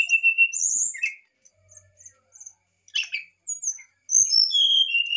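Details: Brown-chested jungle flycatcher in varied fluted song, used as a lure for a lazy singer: steady whistled notes, scattered short chips and a harsh burst, then a final run of clear falling whistles.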